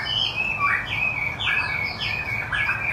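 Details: Chinese hwamei, wambi putih, singing gacor: a string of sharp, down-slurred whistled notes about once a second, each dropping steeply in pitch, against a steady low background hum.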